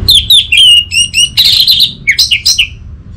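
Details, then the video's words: Orange-headed thrush, kept as a cage bird in northern Bali, Indonesia, singing loud clear whistled phrases that slide and waver between mid and high pitch, then a burst of rapid chattering notes ending in quick upward slurs. "Siapa Sangka Burung ANIS MERAH Macetan Terpancing Gacor Didengarkan Kicauan Ini"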